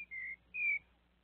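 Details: Thrush known as sabiá, with a small monkey visiting, utters two steady whistles: a lower flat note followed by a slightly higher, louder one, then quiet.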